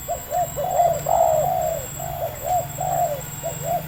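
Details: Spotted dove, a local wild bird of medium voice lured in by a decoy: mellow cooing phrases of short hooked notes and longer sliding hoots, about two phrases across four seconds, with a low hum underneath.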